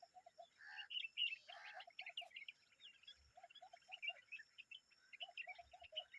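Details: Common babbler adult with her young making noise: busy, overlapping chirpy chatter of short high notes, broken by quick runs of four low soft notes and a couple of harsher, buzzier bursts.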